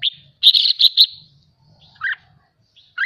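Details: Captive red-whiskered bulbul, excited during song training, gives a loud harsh buzzy burst followed by two short slurred whistled notes after a pause, with a faint low rumble in the background.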